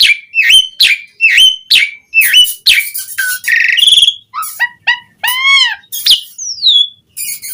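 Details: Jalak suren, the Asian pied starling, as a lure to set starlings singing; rapid swooping whistles, a buzzy burst, low downslurred notes, a long arched whistle and a falling glide.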